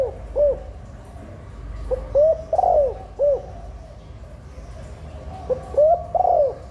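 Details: Spotted dove hen giving a breeding-stimulation call to prompt females to lay and excite cocks; mellow hooting coos in phrases of three to four notes, ending in a drawn-out downslurred coo, separated by quiet gaps.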